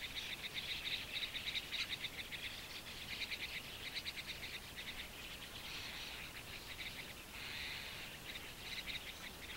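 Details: Hungry White-cheeked Starling fledglings by a shallow waterhole in Japan, early June 2015, begging as parents bring caterpillars: harsh, rasping notes in rapid, nearly continuous bursts, high-pitched and insistent, over faint background hiss.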